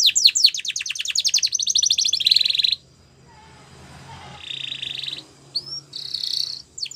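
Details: Canary song used for training canaries to sing, in Spanish Timbrado style: fast rattling trills and sweeping notes at high pitch, then a pause with faint low hum before buzzy sustained rolls resume.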